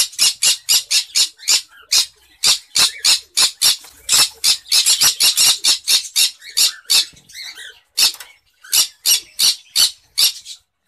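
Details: Rapid, continuous harsh squawking from a cinnamon green-cheeked conure in its breeding cage, rasping notes coming several per second and crowding together midway, then spacing out, with a short lull near the end.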